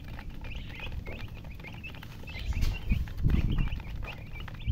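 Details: Chicken (murgi, hen) chirping: a steady run of short high peeps, several per second, over a continuous low rumble, with a few louder thumps and rustles midway.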